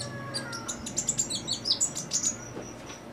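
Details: A captive Van Hasselt's sunbird, singing readily on simple care, gives a thin, very high twittering song of quick sharp chips and short trills, several per second, over a faint low hum.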